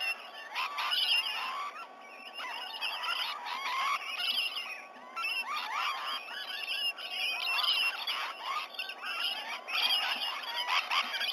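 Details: Flock of rainbow lorikeets gathered around a sea-eagle nest tree in Sydney Olympic Park, Australia, on the morning of 19 November 2020 after 7 a.m.: a constant din of many overlapping harsh screeches, squeals and chatter.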